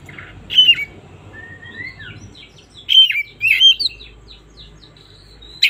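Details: Oriental magpie-robin singing in the morning, a relaxed lure song for birds that rarely sing: loud clear whistled phrases, sweeping and slurred notes, bursting out in separate bouts with quiet pauses between.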